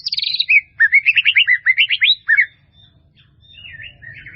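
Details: Melodious white-rumped shama song, a full-fill training recording: a high buzzy opening, then a rapid run of rising whistled notes about four per second, followed by quieter, softer warbles and light background hiss.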